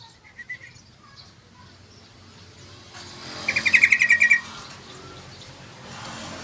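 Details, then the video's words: Yellow-vented bulbul (trucukan) singing actively, used as a lure and tutor recording: one short bubbly phrase of about nine rapid chattering notes lasting under a second, after faint scattered chirps over steady low background hum. "Masteran Trucukan Gacor"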